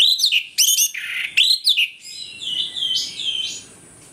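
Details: Orange-headed thrush singing loudly in the morning, used as a lure to rouse aggression: quick run of bright, varied whistled phrases with sharp upward flicks and slurred notes, then a softer, wavering warble fading out.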